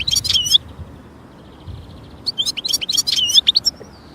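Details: European goldfinch singing in nature: a short burst of bright, tinkling high twitters, a quiet pause, then a second, longer twittering phrase that ends on a thin drawn-out note.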